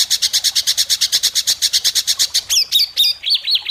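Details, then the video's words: Competition white-rumped shama, Indonesia, judged for sharp besetan mimicry: a rapid rattle of about twenty identical high buzzy notes, then a switch to looping whistled phrases sliding up and down. "Masteran besetan tajam!Langsung dikunci para juri"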